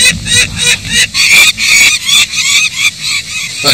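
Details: Peregrine falcon chicks at a nest in an abandoned inland chalk quarry, being ringed and returned, giving harsh, raspy, high-pitched calls in quick bursts, about three a second, while the female calls nearby; faint voices underneath.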